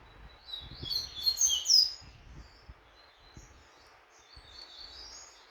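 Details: Tournament-training double-collared seedeater delivering a quick, high, jumbled twitter in the first two seconds, then fainter scattered notes, with low rumbling noise underneath.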